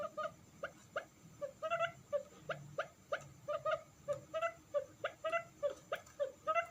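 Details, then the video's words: Quail lure for attracting wild forest quail: steady, rhythmic whimpering notes repeated two to three times per second, some doubled, with a quiet hiss behind. "suara burung puyuh Hutan paling jernih"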